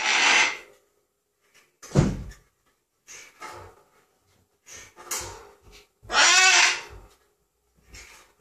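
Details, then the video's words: A 16-year-old macaw gives harsh, raspy bursts and throaty laugh-like squawks in uneven spurts, laughing and then making demonic, exorcist-like noises. "Macaw laughing and making demonic noises"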